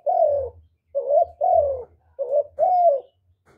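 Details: Spotted dove call used to stir up other doves: soft hollow coos alternating short rising notes with longer falling ones, five notes in under four seconds, a faint low rumble beneath.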